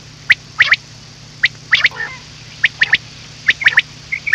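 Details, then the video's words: Common quail calls used to lure birds for night hunting: sharp, short, high chirping notes in small clusters, with a few softer lower notes and a steady low electrical hum. "Batair Song Vol 6 / رات کیلئے والیم 6بٹیر کی آواز۔ / Batair ka shikar raat kelie"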